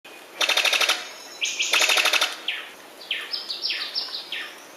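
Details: Sicklebill bird-of-paradise calling: bursts of rapid, harsh rattling notes alternate with series of sharp, rising whistled notes, repeated in several phrases over a steady background hiss.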